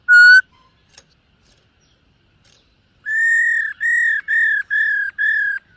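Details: Black-throated laughingthrush practising its morning song while dancing: one short bright whistle, a pause, then five sustained level whistles in quick, even succession.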